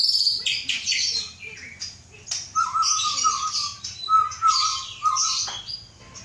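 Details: Aceh white-rumped shama, captive male descended from Samurai CBF, hatched August 2012, soon to enter a breeding cage; high buzzy opening notes followed by a run of clear mid-pitched whistles repeated in quick pairs.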